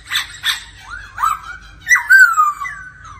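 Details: Laughingthrush in daily voice practice with a female 'ro ro' in accompaniment. It opens with two rough, scratchy notes and follows with smooth, drawn-out falling whistles.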